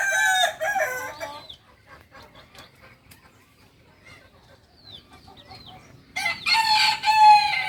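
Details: Kukuak balenggek songster chicken, Solok, West Sumatra, crowing twice: a loud harmonic crow in the opening second and a half, a quiet gap with faint chirps, then another rich multi-note crow near the end.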